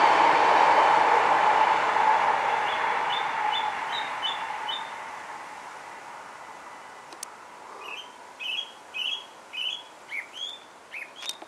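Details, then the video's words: Song thrush singing in Alkmaar, Holland: a loud low droning rumble fades out, then a series of short repeated whistled notes and phrases, each given several times, about three per second. "song thrush sings"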